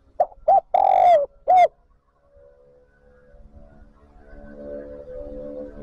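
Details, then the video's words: Spotted dove used to lure wild doves into the flock: one phrase of quick double coos, a long coo and a short closing coo, after which faint steady humming and low noise rise. "Tiếng chim cu gáy gọi bổi về cội nhập bầy. Chim cu gáy kích bổi nhanh nổi"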